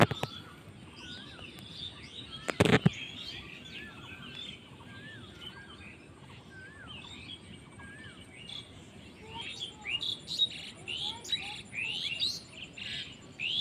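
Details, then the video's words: Birds chirping in a village in Bangladesh: several small birds give thin whistled slurs and quick high chirps, growing busier toward the end, over steady low background noise with a brief loud knock. "Birds chirping sound in Bangladeshi village"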